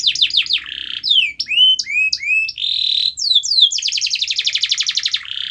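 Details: Canary singing, played to make a quiet canary sing: quick downslurred notes, a buzzy roll, looping whistled phrases, then a long rapid high trill ending in a buzz.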